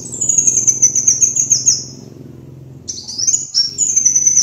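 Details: Sunbird lure recording, kolibri wulung: a long, high, sweet twitter that drifts gently down, a brief pause, then fresh sharp trilled phrases resume, with faint low hum beneath.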